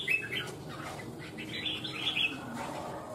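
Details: Vietnamese contest bulbul, red-whiskered, singing a soft run of warbled, sliding whistles that builds to a brighter, higher flourish after two seconds over a faint background murmur.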